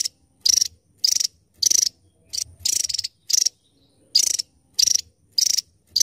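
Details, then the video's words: Javan tesia: piercing high buzzy trills in clipped bursts, about one to two per second, rhythm slightly uneven. "Burung tesia jawa burung mungil cabe rawit suara pedas"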